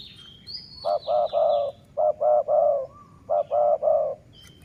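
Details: Decoy dove, city line, coos three phrases in quick succession, each two short notes and a longer warbling low coo, over high descending whistles from other birds.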